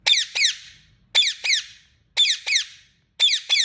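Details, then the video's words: Indian ringneck parrot chirping: sharp, harsh, downward-sweeping notes given in quick pairs, each pair repeating roughly once a second, four pairs in all against a quiet background. "Ringneck Parrot Chirping Sound"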